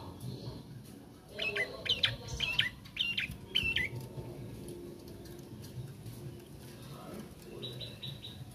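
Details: Juvenile bar-winged prinia practising its song: a short run of four or five quick, sharp chirps, then mostly quiet with a few faint high notes at the end, against steady low background noise.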